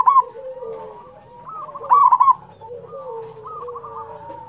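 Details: Local zebra dove song meant to prompt other doves to sing: a brief burst of quick coos at the start and another short ringing burst midway, amid steady softer cooing from several other doves.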